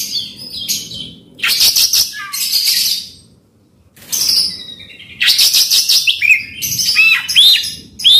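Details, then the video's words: Oriental magpie-robin song used to provoke a silent bird into singing: two dense bursts of rich, varied high notes, harsh rasping phrases mixed with clear whistled upslurs, separated by a brief silence. "Kacer gacor bongkar isian kasar PANCINGAN KACER AGAR NGEPLONG"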